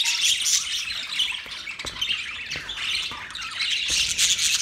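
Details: Morning budgie flock, 1 October 2023, trading rapid high chirps about three per second, with squeaky warbling phrases layered over one another.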